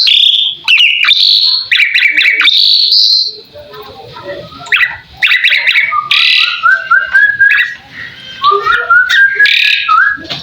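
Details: Asian pied starling singing a master song to make other birds reply: rising whistles and stuttering chirps, scattered squawky notes, then lower drawn-out rising whistles.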